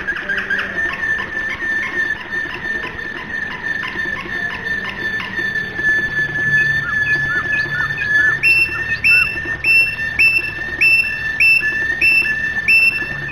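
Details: Domestic canary giving flute-style (flawta) song: repeated short whistled notes over a held tone, shifting later into clean, evenly spaced bright chiming notes with strong overtones.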